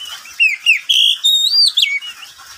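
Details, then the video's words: Oriental magpie-robin, a pet bird, singing at midday: a short phrase of clear, drawn-out whistles, some held steady and others swooping up and down. "Suara burung Kacer di siang hari"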